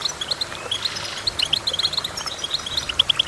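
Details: High, clear goldfinch chirps strung into a quick stuttering series, crisp tinkling notes repeated several times a second, with a faint sliding whistle early on.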